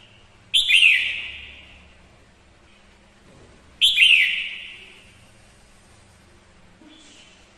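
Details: Female red-whiskered bulbul singing as a decoy to fire up males: two strong phrases, each a sharp whistled twist easing into a long descending whistle, a few seconds apart, over soft background noise.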